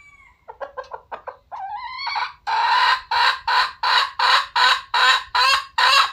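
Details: Red junglefowl starting with a thin whistled note and clipped clucks, then a rising drawn call that opens into a steady series of about ten loud, raspy cackles.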